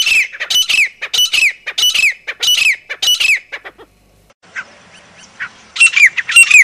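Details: Grey francolin from Pakistan giving a high-pitched call: loud, shrill, harsh notes repeated in quick bursts for about three seconds, a short pause, then a fresh run of sharp notes starting up again.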